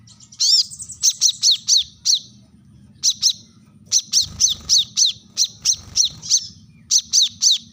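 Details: Sharp call of a brown-throated sunbird, locally wiceh or kolibri manggar, used to call rivals: a ringing rising note, then clusters of three to four piercing high chips in rapid bursts, over a faint low rumble.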